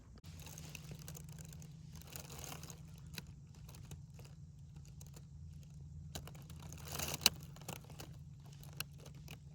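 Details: Keyboard typing and jangling keys in a small room over a steady low electrical hum, with scattered clicks and no animal voices.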